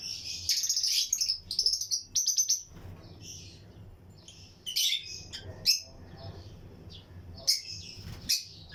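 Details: Breeding-colony lutino lovebirds in an aviary with other birds: an opening spell of loud, buzzy high chatter and rapid pulsed notes, followed by spaced squeaky chirps and occasional sharp calls.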